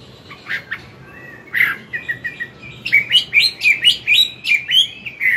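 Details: Chinese hwamei, an older wild bird, morning song for training a young bird: scattered soft notes building into a regular series of rising whistled phrases, roughly two per second, growing louder.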